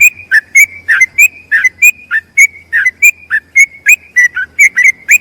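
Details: Bulbul singing a ropel panjang long-trill song meant for tutoring other bulbuls: a steady chain of bright whistled notes, slurred up and down, delivered rapidly and evenly, with a faint low hum early on.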